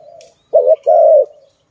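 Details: Zebra dove, known locally as Malay dove, at a trapping site: a single short phrase, a brief swelling note then a longer steady coo, fading into a softer low trailing coo.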